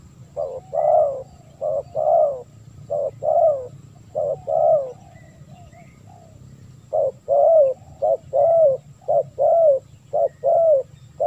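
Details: Calling spotted dove, played to lure wild doves: paired mellow coos, short then longer and arched, in two bouts separated by a roughly two-second pause, a faint low hum underneath.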